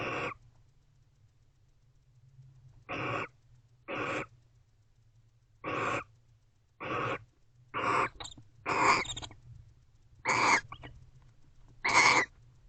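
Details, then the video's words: Barn owls showing affection inside an owl box late at night in November 2023. Brief harsh raspy notes spaced irregularly, one to two seconds apart, growing louder and closer together toward the end, over a constant low hum. "Barn Owls #AvaAndBeau Expressing Affection, Varying Vocalizations."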